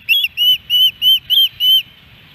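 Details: Osprey at the Hellgate Canyon nest near Missoula, Montana, 13 July 2018, during a three-fish day: six loud, drawn-out whistles, each a clean high note lasting a fraction of a second, evenly spaced, then quiet.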